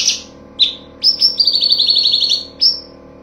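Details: Cucak cungkok song for training songbirds: a few separate high chips, then a quick rippling trill of about fifteen falling notes, closed by one more sharp whistle. Quiet background hum.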